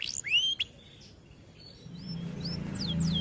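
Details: Canary song used for training: a few sharp sweeping high whistles at first, then quieter sliding notes over a rising low hum.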